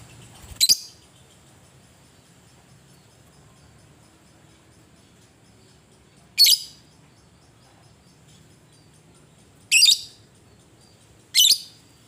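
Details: Lovebird recording used as a lure to provoke fighting lovebirds, in the ngetik and ngekek style: four short, sharp, shrill chirps spread irregularly over twelve seconds, separated by long quiet gaps with a faint low hum.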